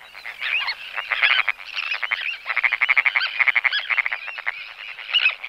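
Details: Sandwich tern calls, recorded during flight displays and colony alarm calling: harsh, grating notes repeated rapidly in bursts, several birds overlapping almost continuously, with no other clear sounds.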